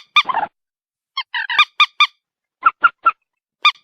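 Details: White-breasted waterhen producing a harsh, rasping note, then a series of clear honking calls in small groups separated by short silences.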